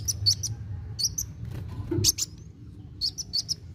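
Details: Sunbird called kolibri wulung in song meant to stimulate young birds: short clusters of two or three thin, high chips spaced by gaps, plus a brief noisy rustle midway, low background hum.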